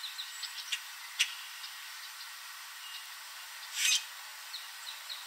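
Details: Common grackle perched in a backyard tree in Southern Ontario, Canada, late in the evening, giving a few sharp, dry clicks, then one brief scratchy rasp like a rusty hinge, over a faint steady hiss; it spreads its wings when calling.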